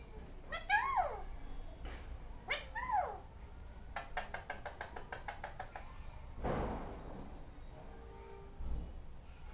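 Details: A parrot making different sounds indoors: two loud curved, wavering whistled calls near the start, then a rapid series of sharp clicking pulses, followed by a brief broad noisy burst and softer low sounds.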